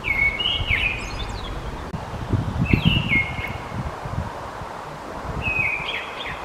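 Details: A mistle thrush (Turdus viscivorus) gives three short fluting, whistled phrases, each about a second long and spaced roughly two seconds apart, over a steady low rumble of wind and rustling.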